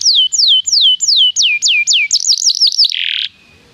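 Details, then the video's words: Singing canary used to draw other canaries into song: clear, steeply falling whistles about three a second, then a quick rising trill that ends in a brief buzzy note. "PANCINGAN JITU SUARA BURUNG KENARI"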